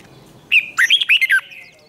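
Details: Competition-style phrase of a red-whiskered bulbul, a long twisted-voice song: a short whistled lead note, then five rapid, loud, rolling warbled notes in about half a second.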